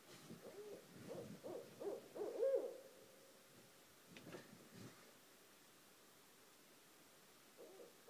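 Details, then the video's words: A pair of barred owls living beside a house hoot at night, a busy cluster of low, rough hoots building to a loud peak, then a long pause and a soft pair of notes at the end. "Two Barred Owls at 1:30 am"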